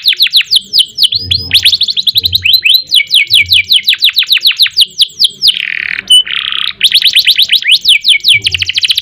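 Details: Gacor canary delivering long ngerek, ngerol and nembak phrases: dense runs of sharp downward-sweeping whistles, short rolling trills, two rasping buzzy notes near the middle and a fast chattering close; soft low knocks in the background.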